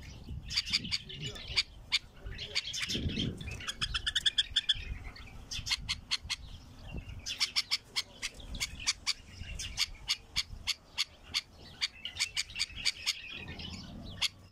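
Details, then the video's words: A wild bulbul gives bursts of sharp, bright chirps and quick twittering phrases, broken by short pauses, with faint low rumbles and handling noise underneath. "اقوى تغريد بلبل وحشي"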